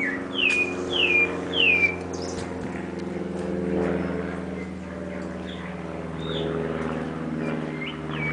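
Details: Sabiá thrush singing in a home backyard in a big city: three clear descending whistled phrases in quick succession, then softer scattered notes, over a steady droning hum of engines or aircraft.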